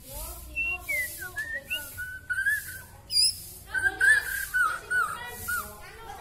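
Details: Kalimantan white-rumped shama, exceptionally long-tailed, pouring out mimicked filler song: varied descending and wavering whistles, a brief high squeal, then a run of steady mid-pitched warbled notes.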